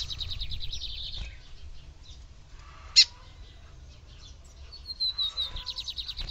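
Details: Calling female lined seedeater, meant to stir up the male: a rapid trilled series opens, then a lone sharp chip, and near the end a thin descending whistle leading into a quick buzzy trill.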